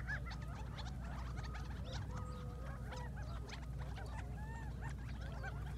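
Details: Several quail waking up in the morning in the Mohave Desert, recorded from a distance on an iPhone: a busy racket of short nasal honks, chips and drawn-out mid-pitched notes overlapping continuously, over a steady low rumble.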